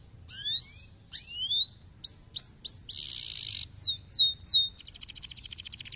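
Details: Stimulating canary song meant to get idle canaries singing: sweeping upward whistles, a series of quick rising slurred notes, a sustained buzzy note, falling whistles, then a fast rattling trill.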